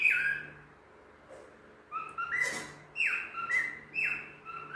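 A cockatiel sings in clear whistled phrases that slide down and step between pitches.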